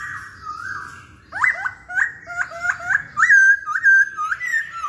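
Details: Masked laughingthrush song played to provoke singing, with a falling whistle followed by a run of about nine bright whistled notes, each sweeping up and then dropping, delivered at a quick, slightly uneven pace.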